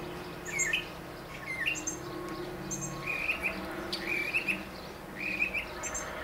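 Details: Male northern mockingbird singing from a tall mesquite tree in central Arizona, with tractors, jets, other birds and insects nearby: short, buzzy, chattering phrases roughly once a second over faint low hum.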